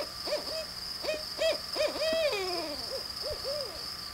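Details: Barred owl during a close encounter, giving a run of rhythmic hoots with a long drawn-out note that slides downward at the end, against a steady high electronic whine.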